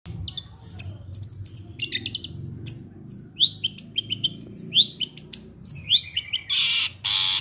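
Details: Long-tailed shrike (cendet), a kept songbird, singing material of fighting sparrow, kuntilanak, getar, restu and tengkek buto: rapid high chirps and sharp downslurred notes, then two harsh broadband bursts at the end over low background hum.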